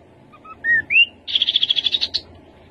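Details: Rufous-capped babbler singing: a few short whistled notes stepping upward, a longer rising slurred whistle, then a fast, even trill of about ten bright notes lasting under a second. The background is quiet.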